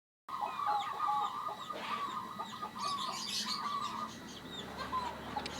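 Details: Local zebra dove calling actively, its voice described as unusual and rare: series of short, soft, low cooing notes run together in rapid bursts, with scattered high chirps from other birds behind.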